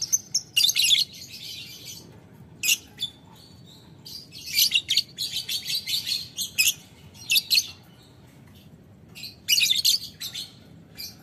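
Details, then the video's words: Lovebird in a rival-calling exchange, ngekek panjang style: long runs of rapid, scratchy, shrill chatter broken by short pauses, sharp clipped notes scattered through, over a faint steady background hum. "Lovebird Memanggil Lawan Ngetik Ngekek - Tidak Lama Labet Auto Nyaut Ngetik Ngekek Panjang"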